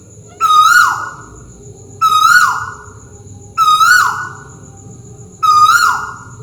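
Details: Tuwu owl of Malaysia calling overhead in a steady series: four strong whistled notes about every one and a half seconds, each holding level before a short downward fall, with a faint constant high tone behind.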